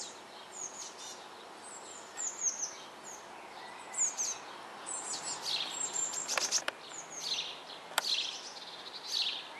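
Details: Eurasian blue tit chicks being fed in a nest box in May 2012, shortly before fledging: thin, high, rapid chirps in bursts over a steady hiss, with a couple of sharp clicks.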